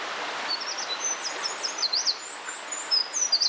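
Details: Eurasian wren song in the wild: a quick series of high, thin whistled notes and trills, rising and falling in fast succession, over a steady hiss of background noise.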